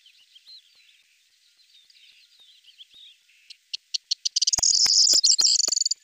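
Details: Corn bunting (Emberiza calandra), song.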